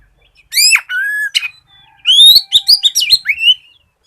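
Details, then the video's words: Oriental magpie-robin singing energetically, played to prompt other magpie-robins to sing: a long steady whistled note after a sharp downslurred one, then rising whistles and quick clipped notes. "SIULAN KACER GACOR COCOK BUAT PANCINGAN KACER BAHAN AGAR CEPAT BUNYI"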